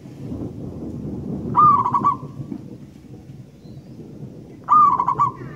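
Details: Wild local zebra dove song over a heavy low rumbling background: two bright, rolling cooing phrases about three seconds apart, each starting with a lifted note and breaking into fast throbbing pulses.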